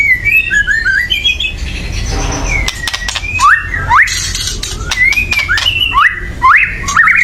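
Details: Excited white-rumped shama chatter for stirring other birds to sing: short rising whistles and snappy notes, a brief hissing pause, then repeated upslurred phrases with sharp clicks.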